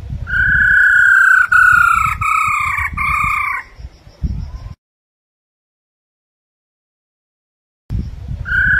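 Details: Female Chinese hwamei giving its 'ro ro' call, used to stimulate males to sing: a loud, steady, slightly falling harmonic tone held about three and a half seconds in short segments, then silence before it resumes, with low handling rumble.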